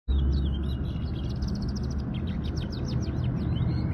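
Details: Local canary singing: rapid series of high, sharp repeated notes and short trills, steady through the clip, over a constant low rumble of background noise.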